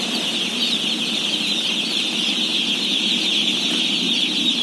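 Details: Some 17,000 day-old chicks being fed, heard as an unbroken wash of shrill, overlapping peeps that holds steady from start to finish, with no other clear sounds.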